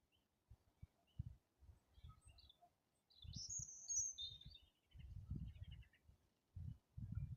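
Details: Birds in April, gradually warming up their songs: one high, twittering phrase of quick sweeping whistled notes in mid-clip, with faint chirps elsewhere, over bursts of low thumping and rumbling noise.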